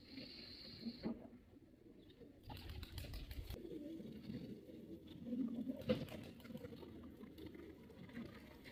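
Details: Deep, murmuring coos from a performing male pigeon, with the loudest rolling phrase near the end, a brief high hiss at the start and scattered clicks and rustling.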